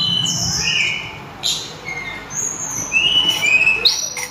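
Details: Sulingan, or tledekan gunung, singing: widely spaced pure whistles at varied pitches, some flat, some falling, with short pauses between them and a soft hum behind.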